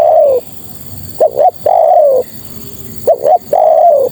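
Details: Female spotted dove calling for males, a series of quick paired coos each followed by a long, slowly falling coo, repeated steadily about every two seconds with faint hiss behind.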